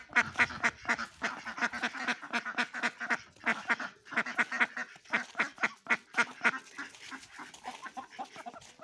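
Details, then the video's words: Several ducks playing in snow quack steadily, harsh nasal calls overlapping about four times a second, with no other sounds standing out. "Duck Sounds"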